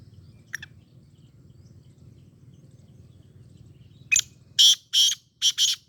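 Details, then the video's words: Sindhi black francolin: an isolated faint squeak, a long quiet pause, then a short note and four harsh, grating bursts, the final pair close together, over a soft low hum. "سندھی کالے تیتر کی مکس آوازیں"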